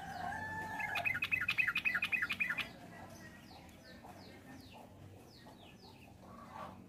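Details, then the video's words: Sooty-headed bulbul song, from a comparison of young and adult birds: a rapid run of bright, bouncy repeated notes for about two seconds, then fainter, quickly falling notes repeated at a steady pace under a low background hum. "Trucukan Muda vs Tua"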